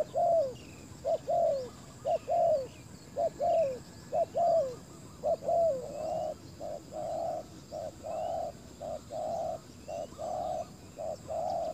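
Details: Decoy spotted dove calling to draw in wild doves at a ground site. Short bent, falling notes give way to a regular series of flat, hollow coos spaced about a second apart. Light background chirping.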